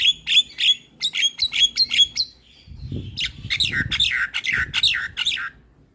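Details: Starling song intended to lure other starlings and get silent ones singing: crisp repeated high chirps about twice a second, then a cascade of descending whistled slurs over a faint low rumble.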